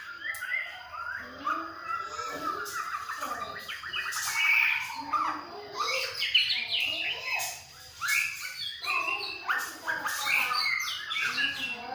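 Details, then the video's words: Young white-rumped shama of the Medan type, aged 2.5, from parents with a ring, learning to sing. It gives varied clear whistled phrases, trills and short chirpy notes in an irregular sequence with brief pauses. "Trotol Murai Usia 2,5 Belajar bunyi"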